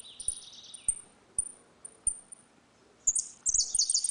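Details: Saffron finch, 'retinido' song in a dispute, used to teach young birds: a short trill, then single thin high chips about every half second, before a loud burst of bright ringing trills at the end.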